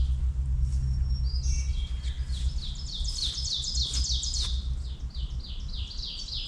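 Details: A Black-and-white Warbler sings right overhead along a forest trail, a thin, very high, squeaky series of rapid two-note phrases, on a clear, calm spring morning on a farm, 12 May 2026, over a low rumble.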